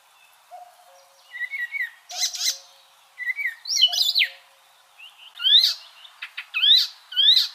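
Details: Icterine warbler on a training recording for cage birds: soft wavering whistles alternate with harsh chattering bursts and sharp, steeply rising notes, in phrases a few seconds apart.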